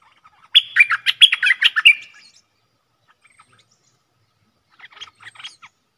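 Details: Decoy bulbul calling to draw a rival to fight: a brisk two-second run of bubbly chattering notes, silence, then a quieter short chatter further off.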